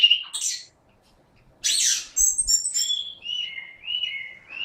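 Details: Orange-headed thrush in energetic 'gacor' voice: a short whistle, a silence, a harsh rasping burst, then a chain of clean slurred whistles stepping down in pitch.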